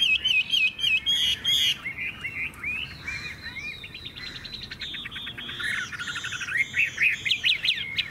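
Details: Caged Chinese hwamei from Vietnam singing loudly: high looping whistles give way to rapid buzzy trills and chattering phrases, varied and fast, with a faint low background rumble.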